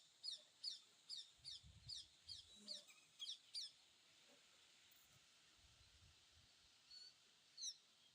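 Red-wattled lapwing calling: sharp, high, piercing notes in a quick run of about nine over four seconds, then two more after a pause, over faint low rumble.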